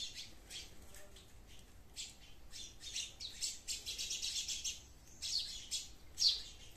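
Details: Sparrows in a garden give harsh, high chirps in uneven bursts, about one a second, with several birds overlapping and growing louder toward the end.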